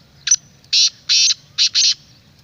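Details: Black francolin call for luring wild francolins: a single harsh, rasping phrase of five buzzy bursts, the middle ones longest, over faint background hum.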